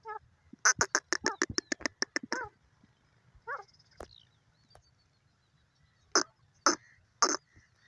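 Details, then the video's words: Grey francolin (desi teetar) calling: a rapid run of about a dozen sharp, harsh pulses, a short raspy phrase, then three loud separated notes after a pause, with low background rumble. "teetar bird sounds"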